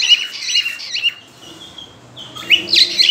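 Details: A cockatiel in breeding condition gives quick, high chirps. A drawn-out quiet whistled tone follows, then a fresh burst of sharp notes, as part of its mating call.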